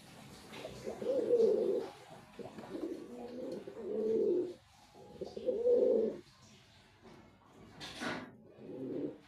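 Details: Low, muffled cooing from a male white pigeon in separate swelling phrases every couple of seconds, ending with a sharp knock.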